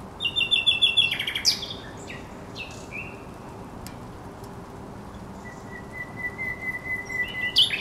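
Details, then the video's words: A thrush nightingale sings on the Żerań Canal on 24 April 2022: a rapid pulsing trill, scattered clicks, a long pause with a thin level whistle, then loud notes returning. "Śpiew słowika rdzawego na Kanale Żerańskim"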